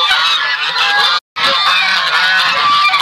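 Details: Buff Sebastopol goose family with goslings: constant harsh honking chatter with thin high peeps, broken by one brief silent gap of about a quarter second midway.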